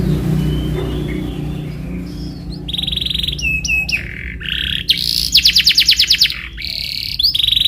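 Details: Canary lure song meant to get canaries singing in rolling fashion; a low background hum at first, then high whistled tones, short slurred notes and a fast rattling trill in the later part.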